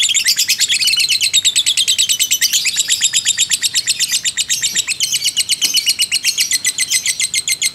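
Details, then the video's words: Fighter lovebird giving a long ngekek, used as a lure to stir other lovebirds: a dense, high, rattling chatter of rapid harsh notes, roughly eight a second, pouring out without a break and easing slightly in pace toward the end. "pancingan lovebird JITU emosi ngekek panjang"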